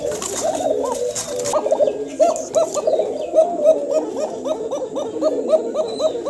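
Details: Kokah domestic pigeons, a caged male just paired with a female, calling intensely together: overlapping rapid rolling coos with hooked upward notes, quickening toward the end, with rustling and handling noise at the start.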